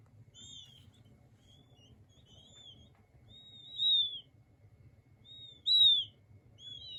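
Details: Soothing peeping of king quail chicks: several high thin whistled notes, some paired or overlapping from more than one chick, with two louder drawn-out peeps standing out, over a quiet low hum.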